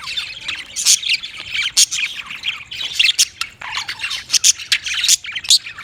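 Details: Budgerigars chattering in a busy stream of high, scratchy squawks and short chirps that overlap and rise and fall irregularly.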